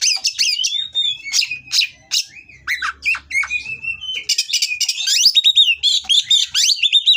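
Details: Kacer kawin Oriental magpie-robin pouring out a dense, aggressive song to rile opponents: quick rising and falling whistles mixed with rasping chatter, growing into rapid repeated sharp notes in the second half.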